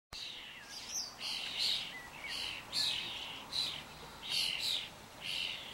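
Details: Group of common starlings wandering about together, giving repeated wheezy, buzzy, rasping calls about once a second over steady background noise.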